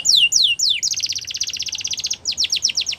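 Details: Belgian canary singing a champion training song for young canaries: three long descending whistles followed by a rapid rattling trill and quicker sweeping notes.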